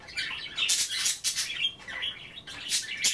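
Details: Budgies at bath time nibbling kale, keeping up steady warbling chatter mixed with noisy splash-like bursts throughout.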